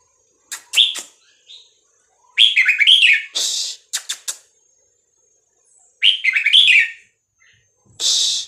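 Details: Caged Red-whiskered bulbul of the Vietnamese type singing, used to teach young birds and rouse them; sharp clicks, then bursts of warbled fluty phrases and harsh hissy notes separated by pauses.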